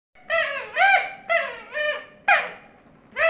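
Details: Pet talking parrot making a series of four or five squeaky, arched, harmonic calls about once a second, each rising then falling, with a person's voice nearby.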